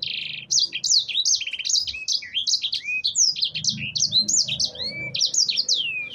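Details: Singing canary meant to draw other birds into song: a brief buzzy trill opens a rapid series of high, sharply rising and falling chirps, ending in long downward-swept whistles.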